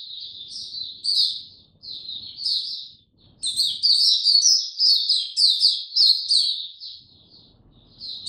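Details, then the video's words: Singing Oriental white-eye (mata puteh), slow and easy opening, 2 May 2022: high, thin twittering phrases that grow louder and busier midway, with rapid chirps repeated, then trail off; faint low background noise. "Mata Puteh Hercules buka sing go slow n easy"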